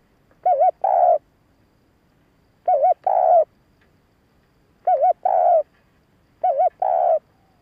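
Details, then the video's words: Spotted dove cooing to lure and excite males, used for decoy birding: two-part phrases of short wavering coos then a longer hoarse coo, repeated about every two seconds in a quiet setting. "Tiếng cu gáy hạp bổi gáy - thúc - gù bổi nghe nhanh về cội / Tiếng chim cu gáy thúc gù kích bổi"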